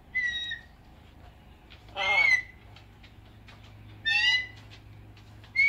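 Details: Captive blue-and-gold macaw outside in the morning beside a red-tailed black cockatoo; clear whistled notes alternate with two loud, rough screeches, spaced about two seconds apart.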